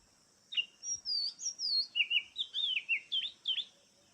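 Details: Oriental magpie-robin in lively song: a run of clear whistled notes, some sliding and some looping up and down, delivered in quick separate phrases over about three seconds, with no other sound.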